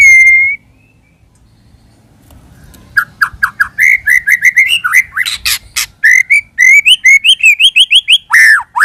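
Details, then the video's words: White-rumped shama song used as a lure: one level whistle, a pause, then a rapid, varied series of rich whistled and chattering phrases with quick repeated notes. "Pikat Suara Burung Murai Batu"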